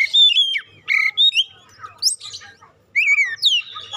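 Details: Oriental magpie-robin song used as a lure to make other kacer sing loudly: clear whistled phrases, some sliding down, others rising, broken by short pauses, with a quieter twittering stretch in the middle.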